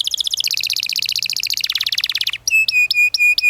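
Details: Long canary song played to train young canaries: rapid stacked trills and rolls that drop into lower sweeps, followed by clear flat whistles repeated with short breaks.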